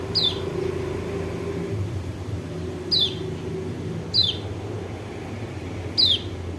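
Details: White-eye call from Lombok used as a lure to stir a reluctant, silent bird into singing: four short, thin, downward-sweeping high chirps spaced irregularly over a steady low rumble of background noise.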